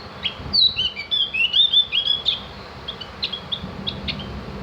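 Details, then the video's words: Javan grey-throated white-eye (cak gentong) sung as tutor material so birds chatter and sing: a fast, rising and falling twittering phrase of high slurred notes, followed by scattered short clicks and chips. "masteran burung opior jawa atau cak gentong agar ikut ngriwik dan bunyi"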